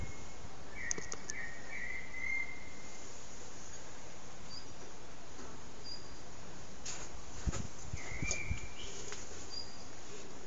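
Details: Common blackbird singing its evening song at sunset, captured on an HTC Desire phone: mellow warbled phrases drawn out over about two seconds, then a pause and another phrase near the end, against steady background hiss and a few clicks.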